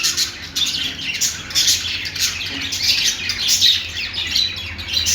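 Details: Budgerigars, Australian parrots, singing: a dense, continuous chatter of high scratchy chirps, squawks and warbles from several birds, overlapping with no pauses and a low hum underneath.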